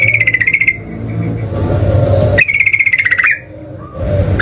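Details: Yellow-vented bulbul (trucukan) song used as a lure to trigger singing: buzzy, rapidly pulsed trills in bursts of about a second, separated by gaps filled with low rumbling noise.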